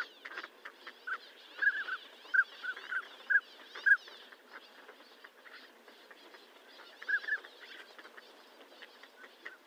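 Northern pintail giving short, clear whistled notes in a quick run of about eight, then two more after a pause, over a steady rushing background.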